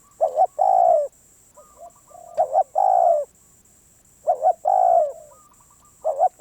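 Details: ['Low, mellow coos from a wild Spotted dove described as very stubborn. Paired short notes run into a long sustained coo, and the pattern recurs roughly every two seconds over a persistent high-pitched hum.']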